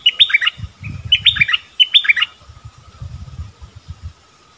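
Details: Bulbul repeating the same brief, bubbly whistled phrase three times, about a second apart, with low knocking and rustling noises between and after the phrases.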